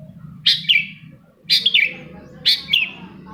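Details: Long-tailed shrike song played to prompt quiet shrikes to sing: three bright, chattering phrases about a second apart, each a sharp high note dropping into a buzzy twitter, over a low steady hum.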